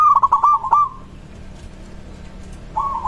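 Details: Local zebra dove song that other doves reportedly answer right away; a brief burst of rapid cooing notes ending in a short trill, silence, then the start of another soft phrase.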